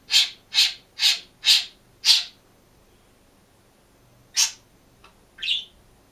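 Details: Lone green budgerigar in its cage gives five sharp, scratchy chirps in quick even succession, then a pause followed by a single chirp, a faint tick and a brighter rising squeak.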